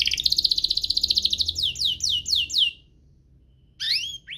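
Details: Duo of lively singing canaries, a recording meant to lure canaries into song and tutor young birds: a fast high rolling trill, then a run of descending whistled sweeps, a pause, and a few rising notes.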